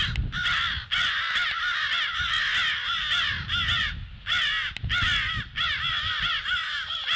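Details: On the morning of 18 February, 08:50, crows sound the alert: a fast run of raucous, nasal caws, several voices overlapping, with brief breaks between volleys and a low hum beneath.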